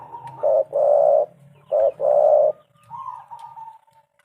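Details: Spotted dove, locally tekukur, calling as a lure: paired coos, each short note followed by a longer fuller one, then a softer wavering tail.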